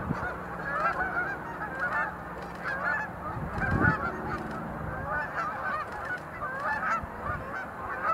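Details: Many sandhill cranes calling at Montezuma National Wildlife Refuge visitor center, November 2020, while some do display leaps; a busy chorus of trilled, rolling calls fills the recording, with a low hum and one low thud midway.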